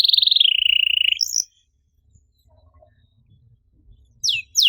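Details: Canary lure song in the 'cuit cuit' style meant to set off silent birds: a rapid buzzy high trill lasting over a second, then near silence before two sharp downslurred notes at the end.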